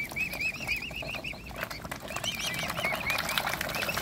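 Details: Cygnets of a mute swan family being fed by hand; a steady string of quick, evenly spaced arched peeps, a short pause, then overlapping peeping from several young birds.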